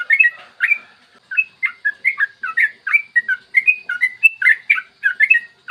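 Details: Rapid, energetic yellow-vented bulbul song in the morning, a lure for stimulating bulbuls to sing: continuous bubbly whistles and chirps rolling up and down, nearly without pause.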